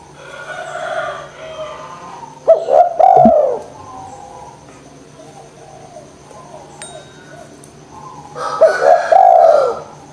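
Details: Spotted dove in full voice, played to encourage reluctant doves to call: two hoarse phrases roughly six seconds apart, clipped notes running into a drawn-out descending coo, a faint tap and quiet hum in the gap.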